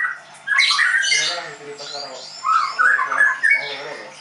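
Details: White-rumped shama at a bird training school in Tangerang, Indonesia, delivering loud, varied whistled phrases and chattering notes in two bursts separated by a brief pause.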